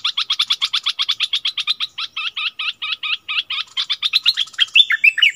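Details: Streak-eared bulbul decoy bird, recorded 16 February 2021, giving a rapid run of short, sharp, chattering notes repeated about twice per second, clear and loud, ending in a more varied, slurred phrase.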